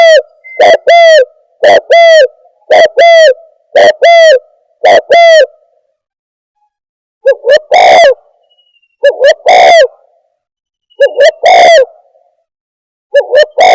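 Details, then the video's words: Spotted dove trapping lure call: five evenly spaced pairs of short-then-long hollow coos, a pause, then several longer cooing phrases with drawn, slurred notes. "Suara Pikat Burung Tekukur"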